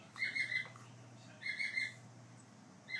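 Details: A hand-fed grey parrot chick, seeking affection just after being fed, gives short, raspy, nasal begging calls in bursts about every second and a half, over a steady low electrical hum.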